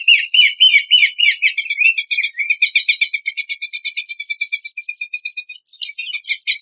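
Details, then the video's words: Horsfield's babbler material for contest birds: harsh churring notes open into a long, fast, even series of clipped repeated notes that slowly fades, then a short pause and a fresh burst of rapid notes. "PANCINGAN AMPUH PELANDUK SEMAK MASTERAN"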